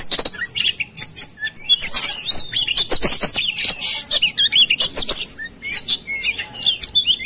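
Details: White-rumped shama singing agitated, fighting-style song: dense bursts of varied whistles, rapid sweeps and harsh buzzy notes, mostly high-pitched, with loud clicking strokes between phrases.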